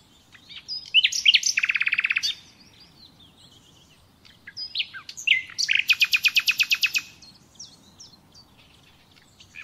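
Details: Common nightingale song recorded for training captive birds: two bursts of rapid, evenly repeated dry clicking notes, each introduced by short chirps, with pauses between phrases.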